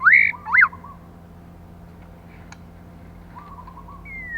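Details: Song of a female white-rumped shama, played to excite males: two loud, steeply rising whistles opening the phrase, then a long quiet gap with faint low trills and a final rising whistle.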